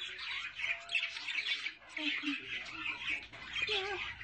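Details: Budgerigars kept with chicks give harsh, scratchy squawks and chattering notes in quick bursts, with a brief lull near the middle before the noisy calling resumes.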